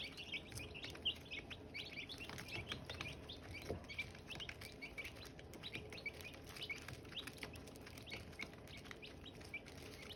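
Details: Silkie chicks peep continuously alongside hatching eggs. Brisk, high, falling cheeps from several birds overlap, set against a low background rumble and intermittent tapping.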